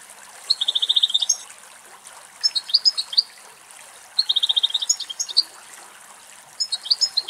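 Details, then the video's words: Two male European goldfinches drinking running water from a spring in a forest in Greece; bright high twittering song with fast buzzy trills and tinkling notes in bursts, over a soft trickle of water. "Κελάηδημα Καρδερίνας"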